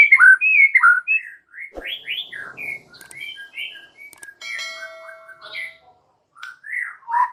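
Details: White-rumped shama (murai batu) sings extra chattery gacor song full of varied phrases: a quick series of slurred whistles and chips, with steady tonal, music-like notes partway through.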